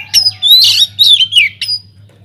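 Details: White-rumped shama singing loudly in an aviary, sound used to prompt other birds into song: short bursts of harsh, buzzy chatter mixed with sliding whistles, over a low background hum.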